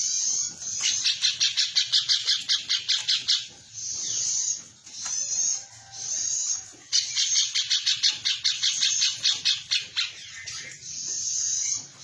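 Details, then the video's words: Female cucak cungkok, kept as a master song for training other birds, giving rapid bursts of chattering, scratchy notes in repeated runs of about two seconds over a steady high insect-like hiss. "cucak cungko betina nembak"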